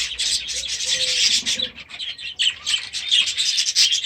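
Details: Young budgerigars, hatched last year, in their new aviary; a flock's shrill, scratchy chatter runs throughout, with a few faint low whistled tones early on.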